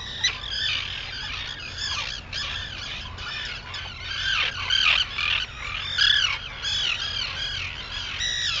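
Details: At sunrise on Maine's Seal Island, 11 June 2018, Arctic terns keep up a dense overlapping chatter of harsh, arched, falling cries, loud and continuous, over a faint low rumble.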